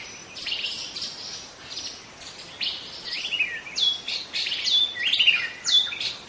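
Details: Wild young white-rumped shama of the forest singing rapid high-pitched chirps that build into clear, steady whistled notes and upward-sweeping phrases, against soft background hiss.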